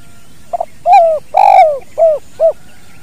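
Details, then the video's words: Natural recording of a spotted dove's kuk dua call for bird training: faint doubled lead-in, a long coo, a harsher falling drawn coo, then two short rounded coos; steady faint high tone behind. "SUARA BURUNG TEKUKUR KUK DUA"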